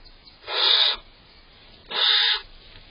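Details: Barn owl pair inside a nest box on June 18th, the female slightly annoyed as the male eats cached prey, giving two harsh, hissing screeches, each about half a second long and roughly a second and a half apart.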